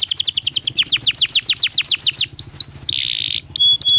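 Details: Lure song of a canary, used to train young birds to sing: rapid falling chirps about twelve per second, two rising swoops, a harsh buzzy burst, then clear high steady tones over a faint low hum.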